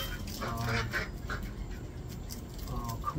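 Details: Domestic ducks being thrown food give a few nasal, buzzy quacks near the start and again at the end, under a man talking close by.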